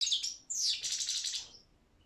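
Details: Balkan goldfinch, Carduelis carduelis balcanica, singing in a Serbian internet song competition: a short burst of high twittering notes, then a sweeping downward slur into rapid buzzy chattering that fades out.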